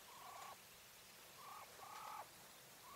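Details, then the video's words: Female English White Coturnix quail hen giving flat, steady mid-pitched notes, each about half a second long. The second note is short and the third longer. Gaps are quiet, with faint background hiss. "Quail call sounds | Female / Hen | Coturnix"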